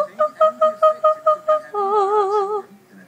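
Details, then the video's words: A pet female ring-necked parakeet that loves singing opera mimics the Queen of the Night aria: eight clear, staccato whistled notes about a fifth of a second apart, then a long, wavering vibrato note. "Opera Singing Parrot sings queen of the night!"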